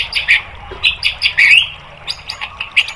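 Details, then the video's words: White-rumped shama song meant to provoke caged birds into answering: quick clusters of sharp high chirps and short whistles in uneven bursts, with a louder rising whistled flourish near the middle and faint background hum. "MASTERAN MURAI BATU biar EMOSI NYAUT jadi GACOR BONGKAR MATERI TEMBAKAN"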